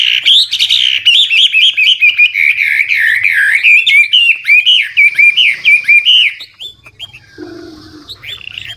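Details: Old wild Chinese hwamei decoy singing to spur newly caught birds into song: a fast, continuous run of loud, varied whistled phrases that keep changing, sliding up and down, then fading to softer, scattered notes near the end.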